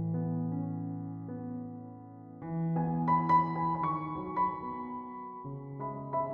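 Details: Gentle piano music with sustained chords and a slow melody, with no birdsong or other animal sounds.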